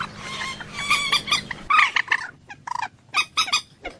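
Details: Common moorhen uttering harsh, nasal honking clucks in irregular bursts, some drawn out, with a faint low hum early on and quieter gaps between groups.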